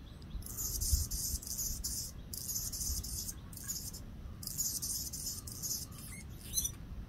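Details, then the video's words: An Anna's hummingbird sings thin, scratchy, very high buzzing phrases in bursts of about one to two seconds, with short pauses, over a low background rumble. "Anna's Hummingbird Singing"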